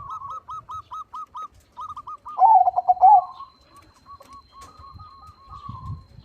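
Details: A crossbred zebra dove (perkutut) with a big voice gives a quick string of soft, hooked coos, then a louder bubbling, stuttering phrase, then more quiet repeated coos over a low background rumble.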